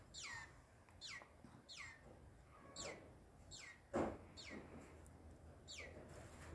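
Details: Green-winged saltator, possibly subdued or cowed, repeating steeply falling whistled notes at a steady pace of about one every 0.7 seconds, with a short louder thump midway and a faint low hum behind.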